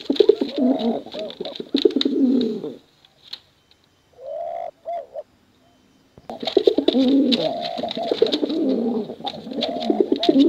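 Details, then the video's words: Male and female competition pigeons in a thick chorus of deep burbling coos that breaks off after about three seconds, leaving a short pause with one soft rising coo, before the rolling cooing resumes at full strength. "Suara Bekuran Burung Merpati Lomba Hutan Dara"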